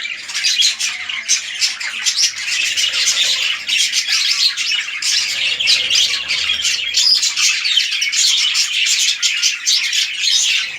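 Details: Red-eyed lutino budgies kept as a breeding pair produce a steady stream of loud, scratchy warbling and chirps, dense and unbroken, with rattling clicks running through it.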